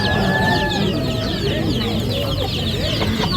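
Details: Many baby ducks together produce a dense run of high peeps, with a few drawn-out whistled notes early on and a steady low hum throughout.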